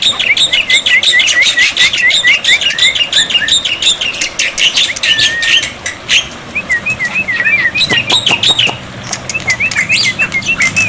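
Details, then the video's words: Black-winged myna song used to make non-singing birds respond: long fast sequence of whistled zigzag notes interleaved with harsh clicks and rasps, a brief pause, then the whistles resume. "masteran burung jalak putih, jalak putih macet pasti nyaut"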